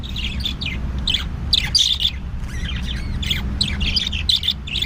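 Budgerigars chatter continuously with bright, scratchy chirps and warbles around the upper-middle pitch range, several birds overlapping, over a low steady hum.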